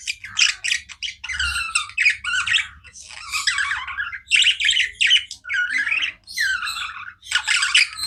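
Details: Budgies in continuous chirping, harsh warbled chatter in quick clustered bursts broken by brief gaps, several notes sliding and buzzing together.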